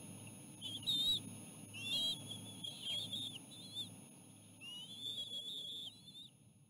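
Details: Ospreys at a nest while a small fish is fed to the chicks; moderately faint, thin whistles, some long and level, others short and upslurred, over soft low rumble.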